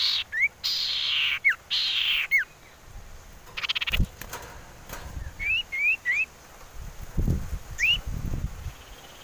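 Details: Common iora, played as a lure to get birds singing: a series of short whistled notes, some rising and some falling, over hissing bursts and low thumping noise.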